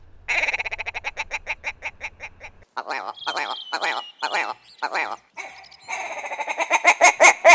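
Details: A willow ptarmigan gives a rough, rapid, rattling series of clucking notes, speeding up and slowing, broken by harsher, drawn-out grunts like a muffled cough; the call marks territory and attracts mates.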